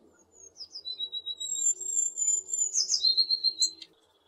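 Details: A tit giving a run of clear, high, thin whistled notes, some drawn out and some slurred, that closes in a brief tumbling flourish. A faint low hum sits underneath.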